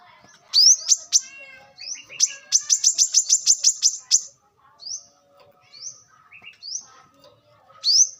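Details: Brown-throated sunbird recorded wild for use as a lure: high upslurred whistled notes mixed with a quick run of sharp repeated chips, then spaced rising slurs.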